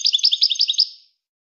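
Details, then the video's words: Short burst of European goldfinch song, about a dozen bright, evenly spaced chirps in under a second, softening into a fading echo. "Serenading Goldfinches"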